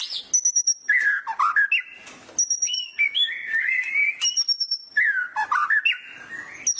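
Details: White-rumped shama in a cage, sunning in the morning, used as a tutor: high pure whistles alternate with lower warbling phrases and sharp clicks, repeated in three bursts.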